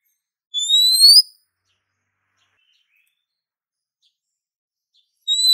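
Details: Female Oriental magpie-robin calling to a male: one clear rising whistle, then a long silence before the next whistle begins.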